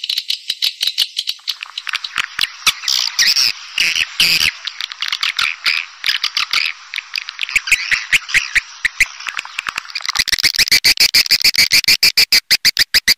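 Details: Swiftlet calls arranged to lure swiftlets. Chattering buzzy twitters are mixed with regular sharp clicks, which become a fast, even train of ticks in the last few seconds.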